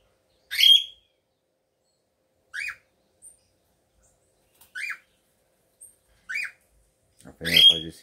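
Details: Cockatiel pair returning to courtship once the nest is ready, kept as breeding birds; loud, sharp chirped calls repeated roughly every one to two seconds in near silence, the last one harsher and buzzier.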